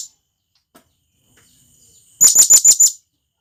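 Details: Blue-crowned hanging parrot in the wild, calling to companions. After a near-silent stretch with a faint tick, it gives one burst of five rapid, shrill, high-pitched notes.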